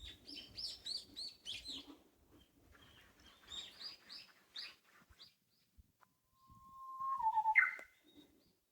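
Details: Small birds singing in a park in Amakusa, Kumamoto, Japan, on a hot early-summer day: a run of quick, high chirps, a quieter stretch of scattered notes, then a long, low, steady whistle ending in a short twisting flourish.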